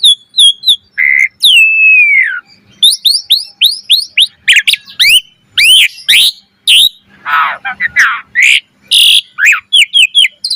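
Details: Vigorous full-variation gacor mompa singing of an Asian pied starling, used to stimulate other starlings: a long falling whistle, then an extended medley of rapid arched whistles, chips and rough buzzy notes, with a faint low hum.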